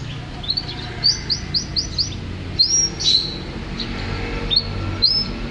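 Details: Champion canary singing a quick run of five high upslurred chirps, then scattered bright whistled notes rising and falling, with a low steady hum underneath.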